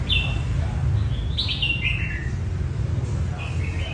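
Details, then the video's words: Red-whiskered bulbul singing in training for a singing competition: short whistled phrases sliding between high and mid pitch, with a quick falling run in the middle, over a steady low rumble of background noise. "Chào mào luyện giọng thi đấu |Chào mào hót thi đấu | Chào mào luyện giọng"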